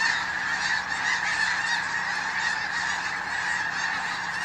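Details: A large flock of snow geese calling on a hunting trip, a constant blur of nasal, yelping honks pouring out without a break.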